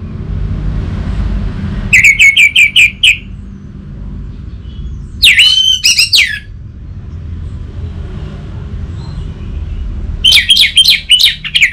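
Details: Three separated bursts of orange-headed thrush song, each a fast string of bright whistled notes, the middle one a rising-falling swooping flourish. Quiet gaps in between carry a low rumble.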